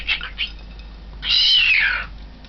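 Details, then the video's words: Young cockatiel calling before a mirror, recorded 20 March 2012: two short scratchy notes, then a long whistled call that slides downward for nearly a second against faint indoor background. "Cockatiel in front of the mirror"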